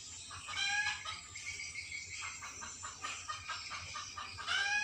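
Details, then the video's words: Starling described as sad, giving a series of harsh, harmonic notes repeated in quick bursts, some rising and falling, with steady faint background hum throughout. "Burung Jalak lgi sedih"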